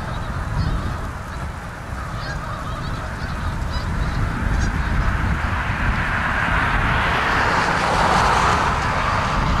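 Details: November flock of Canada geese at South Utica Reservoir, Utica NY; ongoing honking chorus that grows louder toward the end as a broad rushing noise, perhaps wind or wingbeats, rises.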